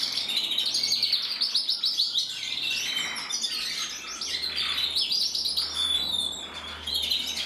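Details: Red-mosaic isabel canary cock singing, 2024: fast repeated chirping trills in rhythmic bursts, then rolling warbled phrases and sweeping whistles, steady and loud throughout.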